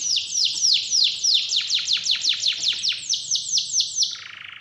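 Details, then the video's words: Lure song of a canary for stirring a silent canary into singing: a long run of about twenty quick, high, downward-swooping notes, slowing slightly, ending in a short dry buzz. "Pancingan Burung Kenari Males Bunyi Agar Gacor Lagi"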